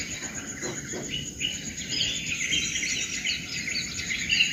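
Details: Birds singing in the morning: a dense tangle of bright chirps and short twittering phrases, backed by a steady high insect-like hiss throughout.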